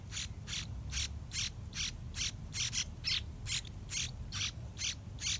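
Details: Two nearly fledged yellow-vented bulbul chicks in the nest while parents bring wild fruit and a large dragonfly; harsh, noisy rasping bursts repeated about twice a second, steady and insistent, over low background rumble.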